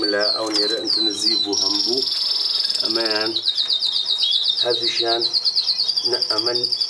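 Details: Melanin canary singing high, fast trills, with a long rolling trill held for several seconds and short bright notes before it, while a man's voice speaks loudly in repeated bursts over the song.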